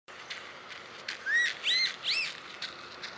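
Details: Chalk-browed mockingbird, a species known for a vast repertoire including imitations, singing at Parque Luis Latorre, Itatiba, São Paulo, Brazil, on 26 August 2017 at 09:30; three clear rising whistled phrases with harmonics, amid soft clicks and faint background chirps.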